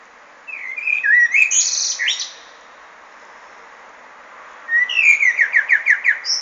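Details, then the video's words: Singing common blackbird delivers two phrases separated by a pause: the first a mellow, dipping warble followed by a high squeaky flourish; the second opens with a whistle, then a rapid series of about eight descending chirpy notes. "Feketerigó énekel"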